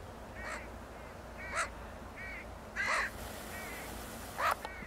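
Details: Harsh caws from Northwestern crows along the Beluga Slough Trail, Homer, Alaska; short irregular calls scattered through the clip, three louder rasping ones standing out, with fainter distant crows answering.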